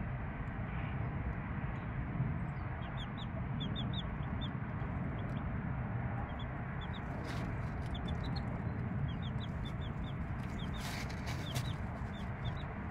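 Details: Three-day-old chicks with their mother hen: thin, high peeps come in scattered bursts, sometimes several in quick succession, heard faintly over a loud, steady low rumble that fills the whole recording.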